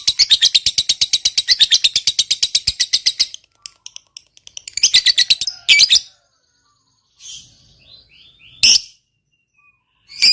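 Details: Lovebird ngekek trill used to provoke rivals: a quick run of shrill chattering notes lasting about three seconds, then scattered short bursts, squawks and chirps separated by silences.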